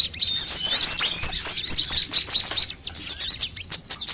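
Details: Sunbirds of several types in a birdcatcher's lure track for making birds sing fast: bright upward-sweeping whistles and quick high chips tumbling over each other, dropping briefly before resuming.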